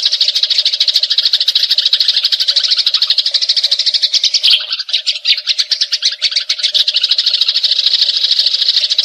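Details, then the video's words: Long rolling chatter from a fighting Eurasian tree sparrow, a magpie robin tutor recording; quick gritty chirps flow almost without pause, dipping briefly just before five seconds and then resuming strongly. "Gereja Tarung Ngeroll Abis"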